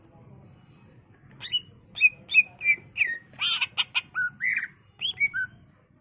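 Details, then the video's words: Greater green leafbird in full song, used to lure and teach other birds: after a quiet start, quick chips and slurred whistles build into harsh rasping notes and lower rising whistles, about three per second. "Cucak ijo gacor bongkar isian full nembak ampuh untuk pancingan dan masteran"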